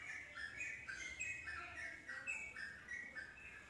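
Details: Yellow-vented bulbul in fast chattering song intended to draw other bulbuls into replying: continuous overlapping warbled whistles, stepping up and down in short bouncy phrases, steady throughout.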